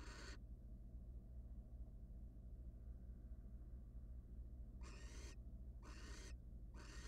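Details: Wild barn owl in a monitored nest box as the male visits his mate with prey; one harsh, broadband hissing burst opens the clip, then three more follow after a pause, over a steady low hum.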